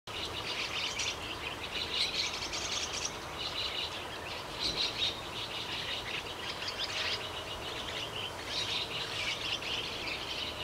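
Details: A young chestnut-cheeked starling in a garden in the morning gives harsh, raspy, high-pitched begging calls in bursts every two seconds or so, over a steady hiss of background noise.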